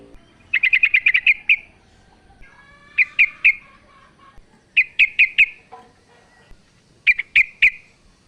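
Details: Female sooty-headed bulbul calling the male: bursts of sharp, bright chirps, first a rapid run of about eight notes, then groups of two to four spaced chirps repeated every couple of seconds. Faint soft tones sit between bursts.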